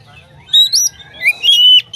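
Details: Oriental magpie-robin singing to prompt other magpie-robins to sing along: a brief burst of clear high whistled notes, some sliding upward, with a sharp downward sweep and a long steady whistle near the end.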